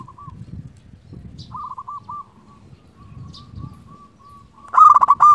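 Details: Local zebra dove singing to call out rivals, used as a lure and as a tutor for quiet doves. Soft, rippling coo trills hold a steady pitch, ending in a loud, harsh rolling coo burst, over a low rumbling background.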